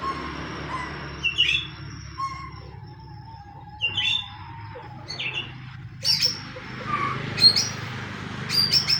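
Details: White-rumped shama singing a fighting-style pastol lure song meant to provoke other shamas to sing: scattered whistled and chattering phrases, some high sharp notes and a long falling whistle, with quiet pauses over a low background hum.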